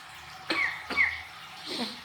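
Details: A pet African grey parrot gives three short, husky cough-like bursts over two seconds, the last one softer and breathier, in a quiet room; the owner asks whether it is coughing.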